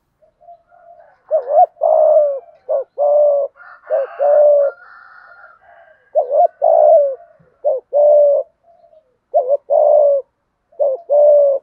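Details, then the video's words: Spotted dove in thúc gù style, deep-voiced, cooing in rapid repeated phrases, each a short throaty note and a longer hoot, packed closely over several seconds; a faint higher call from another bird in the background midway. "cu gáy thúc gù giọng thổ cực đỉnh"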